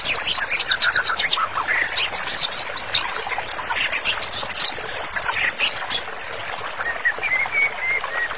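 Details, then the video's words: Master song of a prolific white-rumped shama for therapy: rapid repeated high whistles in a fast trill, then varied slurred notes, fading into softer, drawn-out level whistles near the end. "MURAI BATU GACOR, MASTERANNYA COCOK BANGET UNTUK TERAPI"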